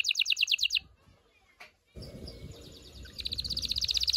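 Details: Canary song for stimulating mating: a short fast pulsed trill, a pause with low rustling noise, then the trill resumes and builds in loudness.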